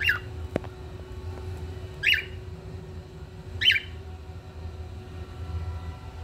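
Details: A pet cockatiel singing in front of a window gives three bright, rising chirps, spaced a couple of seconds apart, over a low steady hum.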